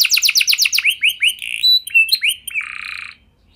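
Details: Canary singing vigorously, used as a lure to prompt other canaries to sing: rapid repeated high chirps, then a series of rising whistled slurs, and a buzzy sustained trill that fades to silence.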